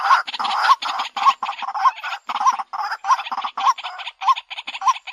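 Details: Lure recording of a waterhen: rough, croaking bursts with a hooked tonal note, repeated roughly twice a second, uneven in length and loudness, some softer chattering between.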